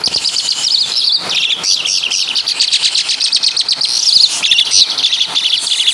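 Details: Javan Asian pied starling pouring out mimicry of caladi and kapas tembak: an unbroken, rapid sequence of high chirps, trills and squeaky whistles, rising to a few louder shrill notes near the end.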